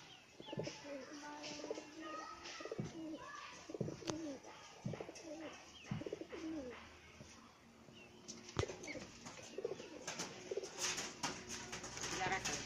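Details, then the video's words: Pigeons fighting: low, throaty coo strokes come in a loose run through the first half, mixed with wing flaps, clatter and scuffling. Sharper knocks and rustling follow later. "কবুতরের মারামারি"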